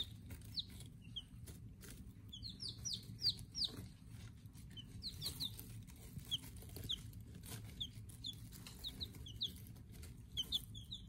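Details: Silver Laced Wyandotte chicks a day old, kept in a brooder: many high, clear peeps in quick clusters, several birds overlapping, with a constant low background rumble.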